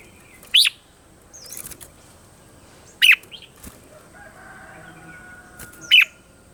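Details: Morning song of a red-whiskered bulbul, used as a lure for training birds: three short, sharp, bright phrases, each about three seconds apart, with faint twittering and a soft drawn-out tone between them.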